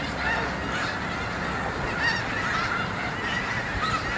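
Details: On a school yard, a vast migrating snow goose flock keeps up a thick wall of honking, with occasional clearer high yelps breaking through the crowded chorus.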